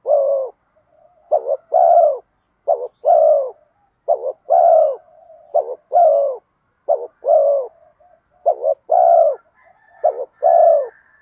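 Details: Spotted dove, 'giọng đồng' voice with 'thúc gù kèm mắt me' coos used to lure wild birds home; rapid chain of short two-note coos and longer swelling coos, low and mellow, with soft purring between phrases and a faint whistle late.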